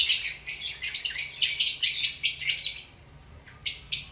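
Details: Relaxed pet lovebirds give rapid, high, squeaky chirps in clustered bursts, then fall silent for about half a second before two more sharp chirps close the passage.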